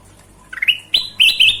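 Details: Golden-vented bulbul singing energetically for a songbird training recording: quick rising notes lead into sustained bright whistles, ending in two loud warbled slurs, with a low background hum throughout.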